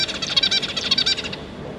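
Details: A family of zebra finches, two parents and three juveniles, recorded on 5 August 2022, gives a dense burst of quick nasal calls lasting just over a second, then falls quiet.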